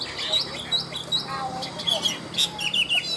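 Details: Caged Chinese hwamei singing its high ngũ trường song: a quick series of clear rising whistles repeated about every half second, then sharp clipped notes and short trilled figures.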